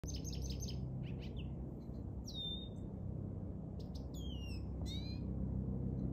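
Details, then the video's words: A lesser goldfinch singing on 10 March 2024: a rambling, high jumble of twittering notes, buzzy trills and clear slurred whistles, over a steady low rumble. "Lesser Goldfinch Singing"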